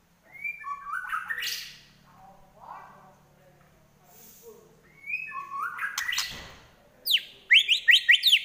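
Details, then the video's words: White-rumped shama fighting song: rising whistled slurs with harsh buzzy notes, a quieter gap, a repeat of the slurred phrase, then a fast series of high sharp notes at the end. "Murai Lepas Trotol Tarung"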